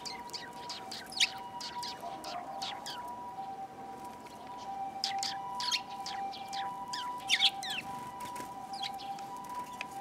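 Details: Group of sparrows, among them a tailless newcomer, 13 February 2022, heard on the way home: dense, overlapping, bright twittering chirps throughout, set against a steady mid-pitched electrical hum or tone.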